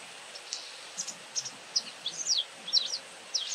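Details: High thin chirps from a talkative White wagtail, sparse at first, then a quicker string of downslurred twittering notes, set against a noticeable broadband hiss.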